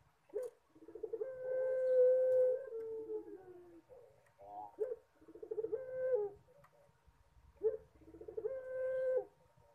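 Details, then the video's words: Three repeated pelung song phrases from a collared dove, known locally as puter. Each phrase is a stuttering lead-in followed by a long steady drawn coo, with a few seconds between phrases. "PUTER PELUNG MANGGUNG - SUARA HOROR"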